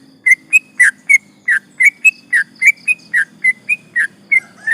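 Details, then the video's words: Active sooty-headed bulbul in 'ropel panjang' long rolling song, meant to agitate rival birds: a steady string of short, clear whistles, alternately upslurred and downslurred, about four notes a second. "trucukan gacor ropel panjang bikin emosi lawan"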